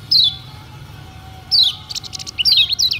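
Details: Kecial kuning song for provoking other birds to sing: high descending whistles separated by pauses, followed by a quick cluster of chirps.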